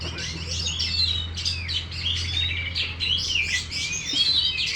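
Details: Oriental magpie-robin, kept caged as a champion contest bird, spreads its tail and pours out a continuous stream of varied whistles and warbles. A loud steady hum lies beneath the song.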